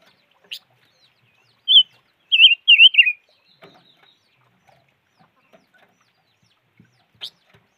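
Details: Silver-eared mesia giving a short burst of four loud, wavering whistled notes, the last dipping lower, with isolated faint ticks and long quiet gaps.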